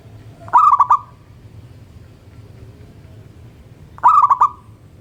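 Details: Local zebra dove singing at morning: two pulsed, bubbling coo phrases about three and a half seconds apart, each four fast notes ending in a drawn-out tail, low hum underneath.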